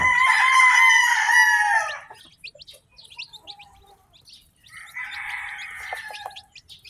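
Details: Freshly hatched farm chicks peeping in sparse high chirps after a loud, harsh, drawn-out call that fills the first two seconds, and another strong call later.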